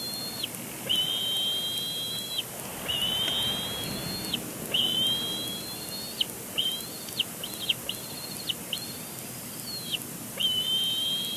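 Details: Young bald eagle on its nest at Big Bear Lake on April 27, 2022, squeeing and complaining at the adult male beside it; drawn-out high whistled squeals ending in a sharp downward slur, given in a steady series over light background noise.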